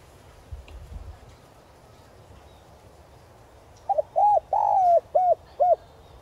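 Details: Spotted dove kept as a decoy, calling to lure wild doves in the 'gáy gọi' style with a 'giọng son' voice; after quiet, one low cooing phrase: a short double note, arched coo, long sliding coo, then two clipped coos.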